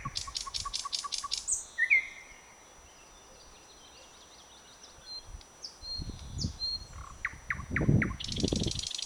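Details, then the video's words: Thrush nightingale in song among blooming bird cherry branches on 21 May 2009: a quick series of repeated clicking notes, a pause, scattered whistles and clicks, then a fast high trill; low rumbling noise in the background. "Satakieli laulaa Nightingale is singing"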